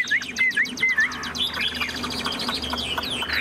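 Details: Caged Chinese hwamei, tame and tail spread, gives a few clear looping whistles, then a denser jumble of softer chattering notes over a low background hum.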